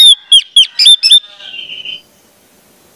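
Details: High whistled song of an Orange-headed thrush, offered as a training lure for young birds: five sharp, looping whistles in quick succession, then a thin, fading trailing note.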